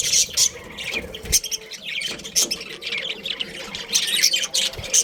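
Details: A budgie breeding pair chatters with dense high warbling chirps and sharp squeaky notes. The bursts come every half second or so and several clicky peaks stand out.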